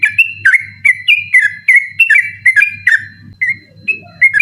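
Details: Night-time 'ropel' song of a yellow-vented bulbul, persistent and meant as tutoring for contest birds: rapid run of clear, falling-then-rising whistles that pauses briefly and resumes, with a constant low hum behind.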